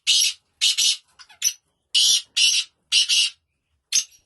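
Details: Black francolin giving a rasping, scratchy call of clipped notes in pairs, repeated roughly every second, with a few soft squeaky notes between them. The background is quiet.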